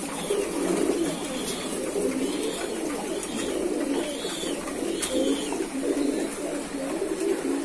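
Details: Kept pigeons coo in repeated low, throaty phrases that overlap steadily, with a faint higher call and a single click.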